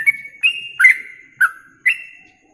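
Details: Song of a yellow-vented bulbul from a masteran tutor recording for bird contests: five separate whistled notes, some sliding down in pitch, each starting with a sharp click, spaced about half a second apart.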